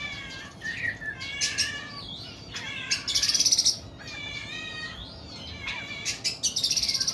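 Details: Oriental magpie-robin (kacer) in long, harsh 'nembak' song: varied whistled notes mixed with scratchy, buzzy high trills, phrases coming in quick succession.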